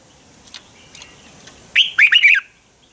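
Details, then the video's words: Red-whiskered bulbul fighting song used to train birds: faint scattered chirps, then one loud burst of quick, warbling whistled notes near the end. "Luyện chào mào hót sáng hay Dùng để thúc bổi căng hót, ép giọng rất hay, chào mào hót đấu"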